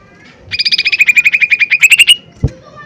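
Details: Lesser green leafbird, a loud 'tembakan keras' singing lure meant to provoke other birds into singing: a rapid burst of about seventeen sharp, evenly spaced chip notes, rising slightly and quickening, ending after under two seconds, followed by a low thump.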